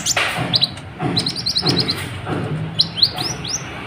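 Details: Sunbird known as kolibri ninja, singing to stir other birds: quick high twittering notes, short rapid trills, then a few rising whistles near the end, over a low rumble.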